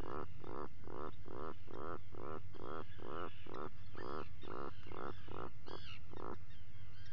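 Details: At breakfast inside a burrow, Atlantic puffins filmed by a live cam at 04:58 on 28 June 2019 give a deep, rhythmic groaning series of about thirteen pulses, roughly two per second, then stop; higher wavering seabird cries behind.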